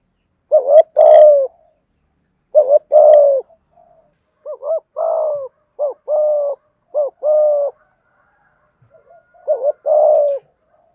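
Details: Spotted dove giving a full calling and cooing sequence meant to stimulate other doves; deep hollow coos in paired phrases, a short note then a longer drawn-out coo, repeated every second or two.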